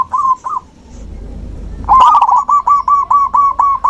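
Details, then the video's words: Zebra dove song used to stimulate a dove that has stopped singing: a short pair of soft notes, a pause, then a loud rapid run of rolling, bubbling coos near one pitch. "Terapi alam perkutut macet mogok bunyi"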